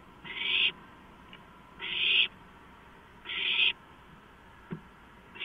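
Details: Owlets clamouring over a large rodent delivered on 23 March 2015: four harsh, breathy hissing screeches, each about half a second long, repeated roughly every one and a half seconds, with a faint click between them.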